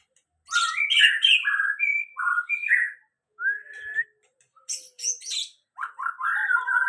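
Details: White-rumped shama after moulting, beginning to sing fully again: rich whistled phrases, rising and falling slurs and rapid chirpy notes in varied bursts with short pauses, some high sharp ticks, loud and clear with no other sounds.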